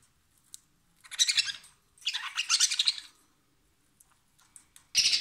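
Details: Budgerigar giving harsh, scratchy squawks when touched or grabbed against its will, from pain or fear: two grating bursts of about a second each, then a third starting abruptly at the end, with quiet between.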